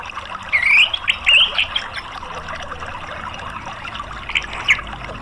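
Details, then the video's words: Orange-headed thrush giving sweet, rising whistled phrases in two bursts, then a brief pair of notes near the end, over a steady watery trickle; used as therapy to prompt a silent bird to answer and sing. "TERAPI ANIS MERAH bikin NYAUT NGERIWIK NGEPLONG"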